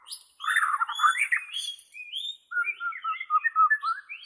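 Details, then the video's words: Bornean White-rumped shama for training captive birds: a buzzy, chattering start gives way to a quick series of clear, liquid whistled notes, some rising, some falling. "SUARA ASLI BURUNG MURAI BORNEO"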